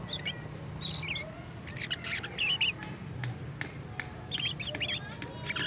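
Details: Juvenile canary learning to sing, rambling sequence of thin chirps and short warbled notes with irregular gaps, plus a low hum and occasional clicks in the background.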